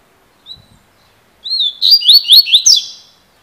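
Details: Double-collared seedeater, called a 'fibra' singer, giving a 'cilada' song. A brief faint whistle comes first, then a drawn-out descending whistle and a rapid run of four or five rising, ringing notes that trail off.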